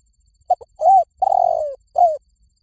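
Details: Spotted dove (Spilopelia chinensis) coo call, used as a lure: soft, low coos, a short note, a longer one, then a drawn-out falling croo and a final coo, all within about two seconds.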